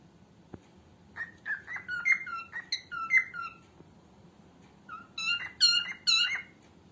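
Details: Female cockatiel singing, used for training cockatiels: two bursts of clear whistled notes, each near one pitch with bright overtones, some rising and some falling, given in quick uneven runs with a short pause between bursts; quiet background.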